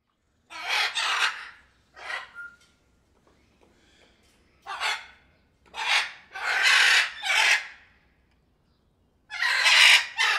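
Several blue-and-yellow macaws give loud, harsh, raspy squawks in bursts of about a second, some overlapping, with short pauses between.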